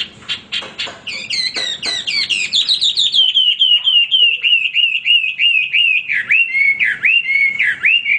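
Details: Energetic Hwamei song, said to sing without stopping: it opens with sharp clipped notes, then runs into a fast chain of rising-falling whistles, about three or four per second, ending in deeper swooping notes.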